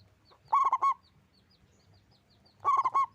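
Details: Actively singing local zebra dove: two rolling phrases of rapid, rounded coos about two seconds apart, each with four quick pulses, over a low background hum.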